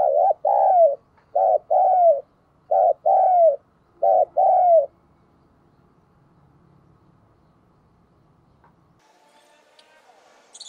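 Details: Lure spotted dove cooing to provoke wild doves: four rhythmic coo phrases, each a short hoot followed by a longer falling note, repeated about once a second, then quiet with faint rustling.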